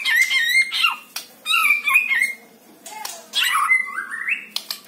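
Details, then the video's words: White-rumped shama song used to lure a captive bird into singing: loud, varied phrases of clear whistles near mid-high pitch mixed with harsh, buzzy squawks and sharp rising notes, delivered in bursts separated by short pauses. "PANCING MURAI BATU ANDA DENGAN SUARA INI"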